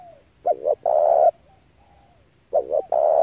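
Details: Spotted dove calling, a recording used as a lure to excite decoy doves and draw wild ones for trapping: soft gliding coos, then a phrase of two short throaty notes and one long, loud, rough coo, repeated once.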